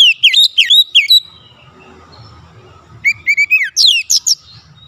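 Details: Lure song of an Oriental magpie-robin for provoking other magpie-robins: quick, high, falling whistles, then a quiet stretch with low hum, then a flat whistle run into bright rapid downswept notes.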